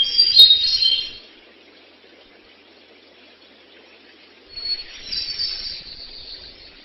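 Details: A thrush singing out in the wild gives two bursts of high, fluttering, whistled phrases separated by a pause of several seconds, over a faint background hum.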